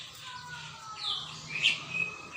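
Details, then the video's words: Greater green leafbird on 21 December 2024 giving a short snatch of song: a soft whistled slur, then a sharp bright note, over a faint steady hum. "Burung cucak ijo gacor"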